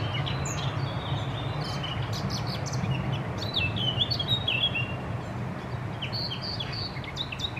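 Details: Eurasian blackcap male, recorded 3 May 2022, delivering a quick chattering warble of short looping whistled notes, with scattered sharp chips before and after and constant low-pitched environmental noise underneath.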